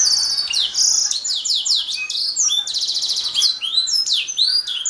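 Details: Loud canary song with a high trill at the start, repeated downward-sweeping whistles, and a long rapid rattling roll, all delivered at a steady, lively pace.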